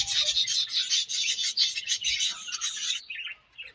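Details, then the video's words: Budgerigars in the breeding season produce a continuous loud, raspy, high warble of fast scratchy notes for three seconds, then brief softer chirps. "Budgies Breeding Season and Sweet Chirping Sounds"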